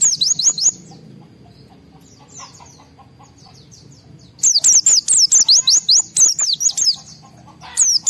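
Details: White-eye in high emotion, singing to trigger other white-eyes: a brief burst of sharp high chirps, a pause of about three seconds, then a long rapid run of bright twittering slurs, near-continuous and very high.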